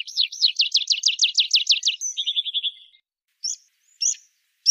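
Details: Rock pipit song opening with a long run of about a dozen rhythmic, looping high notes, then a quicker trill of short notes, followed by a few separate sharp chips.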